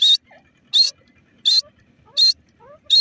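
Francolin giving loud, harsh, high-pitched notes, one roughly every 0.7 seconds, with soft faint chirps between them.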